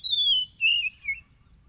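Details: Oriental magpie-robin song from Tulus Rejo, East Lampung, Indonesia, phone-recorded on 30 July 2022 to stir caged birds: three bright whistled notes, each lower than the one before, the first long and gliding down.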